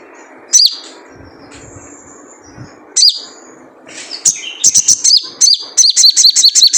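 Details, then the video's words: A wild spiderhunter calls in its typical 'jrejet cuit' style, used to lure birds into song. A few spaced high sharp chirps build into a rapid run of closely repeated notes near the end. "Jrejet Cuit Suara Panggilan Khas Sogon Liar untuk pancingan sogon agar gacor"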